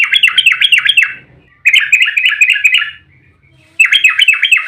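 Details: Yellow-vented bulbul in a rapid, agitated fighting song meant to trigger other bulbuls: three short bursts of quick, sharp repeated notes separated by silences.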